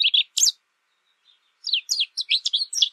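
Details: High, sharp twittering notes of American goldfinch song: a few loud chirps, a pause, then a quick series of rising and falling twitters to the end.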